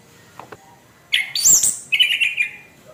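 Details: Harsh song of a kept orange-headed thrush, used to stir other birds: a loud, dense outburst of shrill, scratchy notes mixed with lower whistled phrases, lasting about a second and a half, after two faint clicks.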